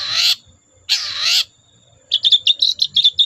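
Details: Long-tailed shrike singing loudly to prompt other shrikes: two long harsh grating rasps, then a fast run of chirpy, stuttering high notes.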